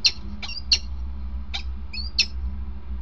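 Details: Peregrine falcon on 28 March 2019 during a changeover, giving short, harsh, sharp notes at irregular intervals, some followed by a brief high whine, over a steady low hum.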